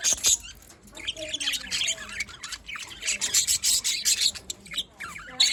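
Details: Budgerigars calling in the morning on 5 November 2023 in Larkana, Sindh; several birds give rapid scratchy chirps and squawks in overlapping bursts, with a few thin whistled notes between.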